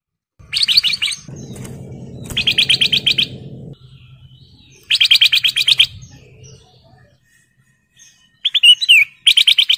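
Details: Vigorous song of a breeding male golden bulbul calling a female: rapid trills of sharp, evenly spaced whistled notes in one-second bursts, separated by pauses, with a steady low humming noise between early phrases.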